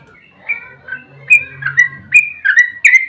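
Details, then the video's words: Sooty-headed bulbul song in the 'ropel' fighting style, played as a lure for other bulbuls: a few soft introductory whistles, then louder bubbly slurred notes in quick succession. "Trucukan GACOR ROPEL TERPANJANG buat pancingan trucuk agar cepat bunyi"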